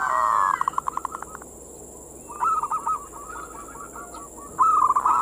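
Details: Perkutut (zebra dove) manggung song meant to lure and excite local zebra doves; a fast stuttering trill of rapid notes, then a rolling bubbly coo phrase and another at the end, with steady background hiss.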